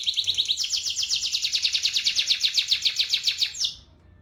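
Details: A canary sings in the energetic rolling 'ngerol' style, meant to lure canaries that have stopped singing into song: one steady, rapid, high-pitched trill sustained for about three seconds, ending abruptly into quiet.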